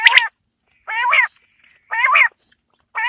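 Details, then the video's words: Quail heard on a winter evening, giving broad, nasal, harmonic squawks repeated about once a second, each lasting roughly half a second, in an otherwise quiet setting. "Quail Calling Sound For Winter | Baiter Ki Awaaz Sardiyon Ki Sham K Leya | بٹیر کی آواز سردیوں کیلئے"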